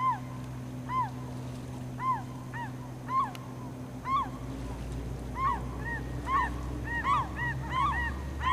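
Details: Glaucous-winged gulls at Campbell River, British Columbia, in April 2007, where a gull was slowly swallowing a starfish: short arched, nasal mewing calls repeated about once a second over a steady low engine-like hum.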